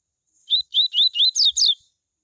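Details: Double-collared seedeater (coleiro) singing the "tui tui" song style, used to warm up other coleiros into singing: a quick burst of six loud, clear whistled notes, early ones slurred upward, later ones sweeping down, over a silent background.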